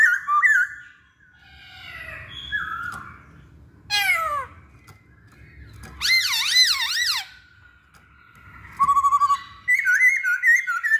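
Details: Masked laughingthrush song played as a lure to get other birds singing: wavering whistled phrases, sharp descending sweeps, then a loud run of rapidly rising-and-falling slurred notes and a fast trilled finish.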